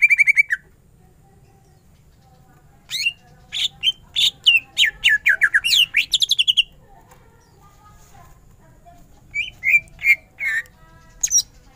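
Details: Greater green leafbird singing in bursts: a short trill, a pause, then a rich sequence of varied whistles and fast descending chips, another pause and scattered notes near the end.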